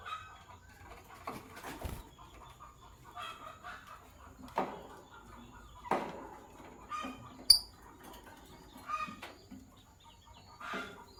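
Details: Lovebirds, a Sky Blue Opaline and a Green Opaline, chirping in the morning: scattered short harsh chirps and raspy bursts at irregular intervals, fairly quiet, with a faint steady hum underneath.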